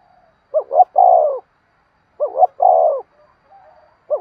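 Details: Spotted dove repeating its rousing decoy-training coo: two full phrases, short double hoot then long descending purring note, about two seconds apart, with another phrase starting at the end.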